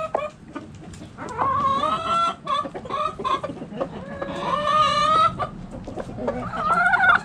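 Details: Backyard hens cackling in the coop, several long harmonic calls that rise slightly and repeat, separated by short clucks, louder toward the middle and end.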